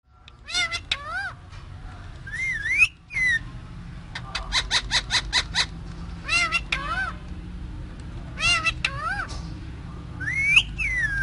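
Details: Caged parrot speaking: harmonic, wavering voice-like syllables, sharp rising whistled notes, and bursts of rapid clicking pulses, with a steady low hum underneath throughout.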